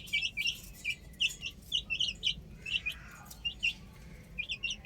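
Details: Baby chicks on a roof give loud, clear, high cheeps in pairs and small groups, about two or three per second, with a short pause near the middle.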